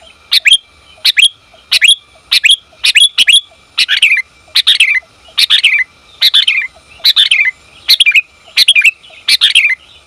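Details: Calls of a female sooty-headed bulbul directed at the male. An energetic, evenly spaced stream of paired, hooked chirps, slightly bubbling, carries on without pause.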